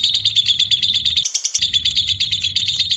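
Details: White-beaked lovebird in a long ngekek: steady, very rapid high-pitched chattering trill, with a short break in the low background hum partway through.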